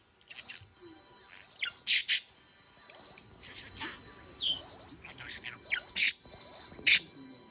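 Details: Pet budgerigars running around give sharp, high chirps and scratchy warbling squawks in quick bursts, with several loud calls spaced about a second apart.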